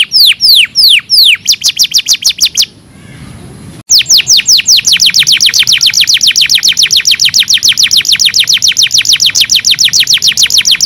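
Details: Canary song played to teach caged canaries to sing better: downward-sweeping whistles, then fast trilled chips, a brief break with a thin high tone, and a long rapid rolling trill of clipped notes.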